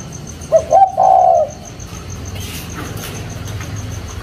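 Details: Caged spotted dove wearing a leg ring gives a short cooing phrase: a couple of quick low notes then a longer wavering coo, followed by quiet background hum.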